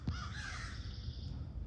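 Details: A noisy crow calling on a morning in a home courtyard in Virginia gives a single harsh, drawn-out caw lasting about a second, over a steady low rumble of wind or handling noise.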